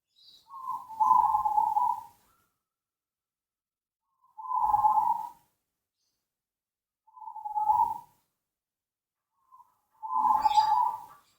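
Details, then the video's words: Zebra dove, known locally as perkutut, giving soft low cooing phrases, each about a second long, repeated about every three seconds against silence. "Suara Burung Perkutut Gacor Dor|Suara Pancingan Burung Perkutut"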